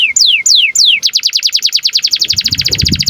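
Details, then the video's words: Canary in breeding condition, singing at length to prompt and tutor young canaries into song: three whistled notes sweeping steeply downward, then a fast, buzzy trill of rapidly repeated high notes, with a faint low rumble near the end. "KENARI GACOR DURASI PANJANG Cuit CUIT BIRAHI UNTUK PANCINGAN & MASTERAN Kenari PAUD AGAR BUNYI"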